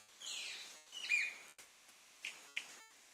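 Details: Manakin (saltarín barbiamarillo) of the western cordillera, where males gather in leks and call to attract females. High, bright downslurred whistles come first, followed by three sharp dry snaps, with quiet gaps between.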